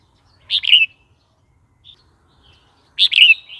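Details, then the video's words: Red-whiskered bulbul song, played to teach young birds and provoke new or old wild birds: two loud bubbly whistled phrases about two and a half seconds apart, a tiny soft note between. "เสียงนกกรงหัวจุกร้อง 06"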